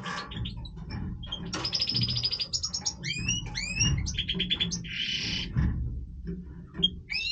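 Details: European goldfinch of the Major type singing its breeding song: rich, rapid twitters, repeated downslurred liquid notes, a harsh buzzy trill near the end, over a low droning hum.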